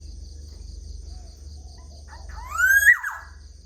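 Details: Black-naped oriole singing in the morning: after quiet background hum, a single loud fluty whistle near the end slides upward and ends with a brief downward flourish, over a steady high faint tone.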